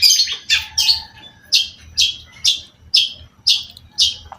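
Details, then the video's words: Long-tailed shrike singing vigorously, opening with a jumble of buzzy notes and a low whistle, then giving short harsh downward-slurred chips at a steady rate of roughly two per second. "cendet gacor"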